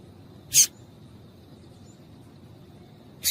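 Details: Female Double-collared seedeater (coleiro) calling to a male, a call used to stir a caged male into singing. Two short, sharp, high chips, about 2.7 seconds apart, over a quiet background.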